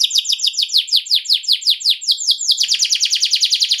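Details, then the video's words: Canary rolling song meant to provoke a reply from other canaries: rapid series of repeated downward-sweeping high chirps, about two to three per second, shifting into a faster, denser run near the end. "DENGARKAN PANCINGAN KENARI NGEROL INI"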